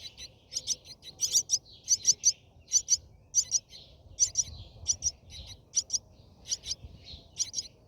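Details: Brahminy starling nest, inside view, with feeding noted: sharp high chirps, mostly paired, about seventy a minute at an irregular pace, against a faint low hum.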